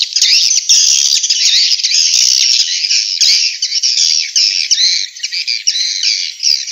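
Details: Swiftlet calls from Vietnam, used to lure swiftlets into bird houses: a continuous, high, buzzy twittering chatter, dense and grating, with slight dips in loudness toward the end.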